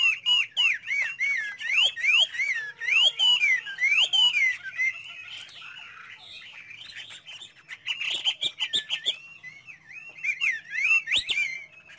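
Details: Chinese hwamei in full song, kept caged: a long varied stream of loud looping whistles and warbles, fast repeated phrases, a quieter jumbled middle stretch, then more sweeping whistled notes.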